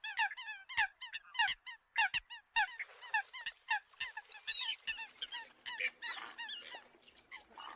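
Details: Eurasian coot calls used as a lure for other birds: regular nasal honks and short yelps, about twice a second, growing into a confused chorus of overlapping calls with a low hum toward the end.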